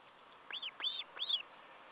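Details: Osprey at a nest on 14 July 2012 during a meal gives three clear, high whistled notes, each rising then falling, about every half second, over a faint steady hiss.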